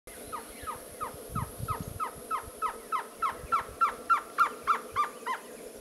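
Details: Surucua trogon at Morro da Fumaça gives a long series of short, mellow cow notes, about three a second, swelling louder and then fading, over a thin, steady insect hiss.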